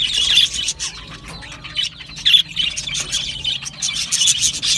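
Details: Australian budgies give scattered bright chirps and short whistled notes with brief quieter gaps, then busier twittering toward the end.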